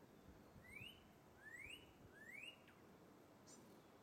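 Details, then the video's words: Northern cardinal, a red bird singing high in treetop branches while calling out its mate: three clear rising slurred whistles, each sweeping upward about once a second, over faint steady background noise. "Northern Cardinal Bird Caught Singing High Up In The Tree Top Branches"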